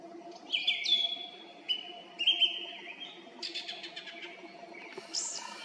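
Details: Evening song of a song thrush high in a tree by the road to Krasnye Ozera in Zarechny, 18 April 2021, 18:50: piercing whistled notes, a doubled phrase, then a rattling stuttered burst and a high squeaky ending.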